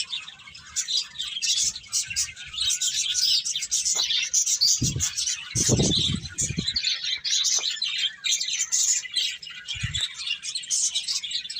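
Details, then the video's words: Birds chirp in a dense high chorus, steady and overlapping, while several low thumping noises break in around the middle. "Cute Birds Chirping Sounds"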